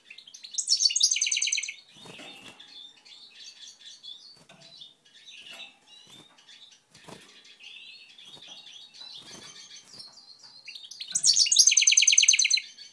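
A goldfinch mule sings bright, rapid twittering bursts with soft chattering notes between them.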